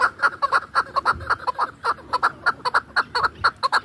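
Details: Chukar partridge kept for hunting, from Dashti Jum: rapid series of loud, clucking chuk notes, about two per second, each note stacked with bright overtones, steady and insistent across the whole stretch.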